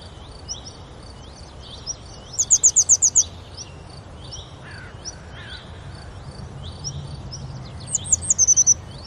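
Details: Two bursts of rapid, high, sharp notes from a grey wagtail at Oukaimeden near Marrakech, Morocco, several seconds apart, with softer chirps of other birds between them.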